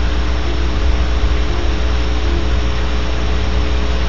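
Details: Loud continuous low engine-like rumble and hiss with no animal calls.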